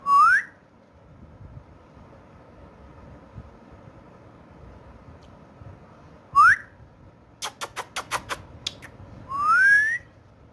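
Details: Pet parrot that talks in Urdu/Hindi, indoors: a rising whistle, a long quiet pause, another short upswept whistle, a burst of rapid clicks, then a drawn-out whistle.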